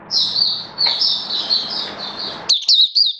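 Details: Caged oriental white-eye in build-up form, 19 September 2022, delivers a sustained high warbling run over low room hum, ending in a few sharp, clipped chirps.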